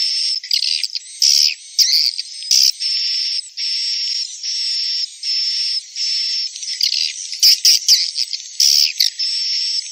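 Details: Edible-nest swiftlet calls tied to raising the population of a swiftlet colony: high, buzzy, tonal notes in short even bursts, broken by sharp squeaky twitters and chirps, with no low sounds at all.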